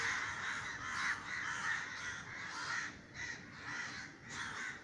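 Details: Flock of crows in Sri Lanka, put to flight above a garden by a neighbour firing a scare shot, caws harshly in clustered bursts, the calls thinning briefly before a final louder group.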